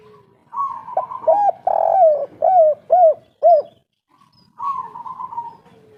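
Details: Spotted dove, local 'kuk 3' style. A buzzy opening note is followed by about six rounded coos in rapid sequence, then a brief silence and another purring buzzy phrase.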